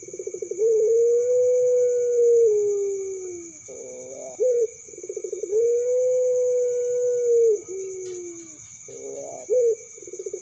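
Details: Puter pelung dove chick, a hoped-for champion, repeating its call about every five seconds: a drawn-out even coo, a descending tail, then a fast stuttering roll and a brief clipped note, with a steady hum behind.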